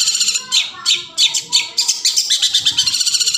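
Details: Long-tailed shrike song from the forest, meant as a lure to set quiet shrikes singing: loud scratchy high notes in irregular bursts, then a fast run of short chattering notes, soft lower whistles beneath.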